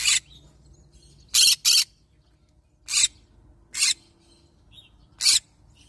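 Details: Series of loud, raspy screeches from a yellow-sided green-cheeked conure parrot, one double burst among single squawks spaced roughly a second apart, over faint low background noise.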